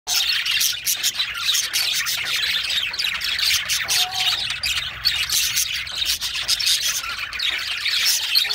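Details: Male pet budgerigar singing: a dense, continuous high chattering warble of rapid scratchy chirps, with barely a pause throughout.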